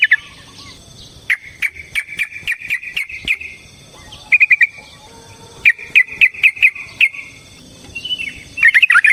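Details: Yellow-vented bulbul fighting song meant to provoke and rouse another bird: separate bursts of quick, bubbly chirps, the first and longest about two seconds, then shorter runs with quiet gaps between them.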